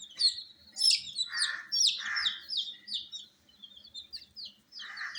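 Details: Group of dyed baby chickens kept indoors under a heat source chirp busily. High falling peeps crowd together, with three soft lower rushing sounds between them.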